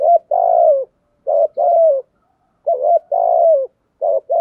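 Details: Caged decoy spotted dove cooing in the urgent thúc gù style: loud, mellow coos with short hooked notes and longer drawn, falling phrases, in three quick groups over four seconds, clean and quiet behind.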